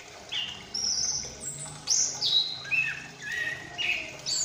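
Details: Young female-ringed Chestnut-capped thrush (Geokichla interpres), recently independent, in subsong: a rambling practice song of high whistles, slurred notes and short buzzy phrases about half a second each, faint rural background noise.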